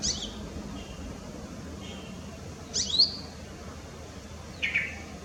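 A brown-throated sunbird gives three sharp, high chips spaced over several seconds, the middle one a quick squeaky double note, over a quiet background hiss.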